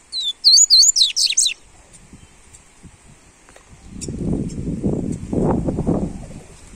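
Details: Warm-up song of a coleiro seedeater: a fast burst of high whistles and chips in the first second and a half, then silence, followed by loud low rumbling noise.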